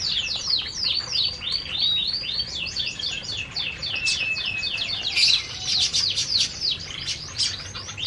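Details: Aviary canaries calling while they feed: a continuous stream of high, quick slurred chirps and twitters from several birds, loud and unbroken throughout.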